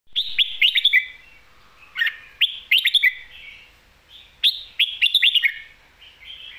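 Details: Caged Red-whiskered bulbul, a professional competition bird, singing in the styles called lak wai and mae bot, alternating its phrases: two bursts of quick, bright, warbled notes with sliding whistles, about two seconds apart, on a quiet background.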